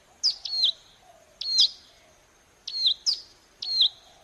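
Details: Hill prinia recording used to entice birds to sing back. Paired high notes, a sharp chip then a bending whistled slur, repeat irregularly roughly once a second against light hiss.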